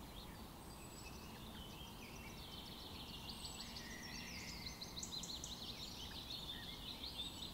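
A Lincoln's Sparrow sings a bubbly, jumbled run of high trills and chirps, with other faint birds and a steady low rumble behind.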